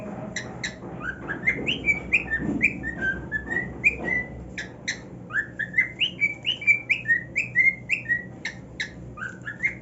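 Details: A male cockatiel kept as a pet sings from his new nest, a lively chain of short rising and falling whistles mixed with sharp clicks, quickening toward the end.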